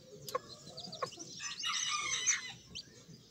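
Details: Several Sebright chicks peeping: a few sharp clicks open, then a dense burst of high, rapid, overlapping cheeps swells in the middle before easing back to scattered peeps.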